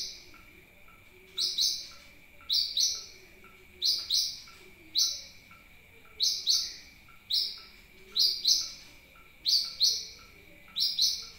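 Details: Sunbird lure call played to attract birds: loud, high sharp chirps, mostly in doubled pairs, repeated about once a second, over a steady thin high hum and faint lower chirps.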